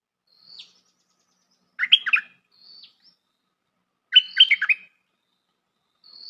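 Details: Bulbul calls used as a lure for trapping birds: two bursts of rich, bubbly, warbled notes about two seconds apart, with thin high whistled notes between them and no other sounds.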